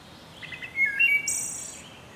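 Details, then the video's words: Wood thrush singing: a short run of clear fluted notes that slide and waver, ending in a bright, high, buzzy trill. The background is quiet. "Wood Thrush Bird Beautiful Sing"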